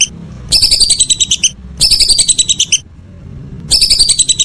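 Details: Evening calls of a whistling duck: three bursts of rapid, high whistles, each about a second long, with quiet stretches between.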